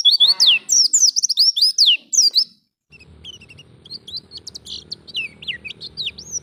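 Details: Wild Oriental white-eye song used as a lure to prompt captive birds to sing: a burst of rapid high twittering and looping whistled notes for two seconds, a pause, then fainter scattered chirps over a low hum.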